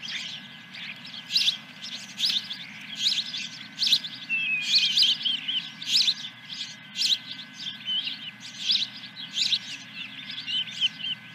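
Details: Osprey calling at its nest at Dunrovin Ranch, 10 July 2021, morning, first fish: long run of piercing whistled chirps in regular bursts, some clusters louder, with a soft constant low rumble.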